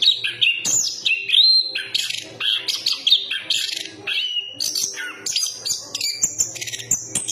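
A chestnut-capped thrush sings a rich, fast and varied song of sweet whistles, trills and scratchy notes, delivered in quick phrases with hardly a pause. A faint low hum underneath.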